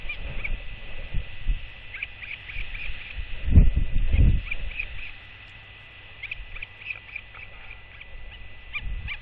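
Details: Royal albatross at its colony nest before dawn: a startled chick clacks defensively as its mother returns in the dark, and she clacks back. Two short, loud, percussive bursts of rapid clacking come near the middle, over steady wind rumble and faint higher chirps.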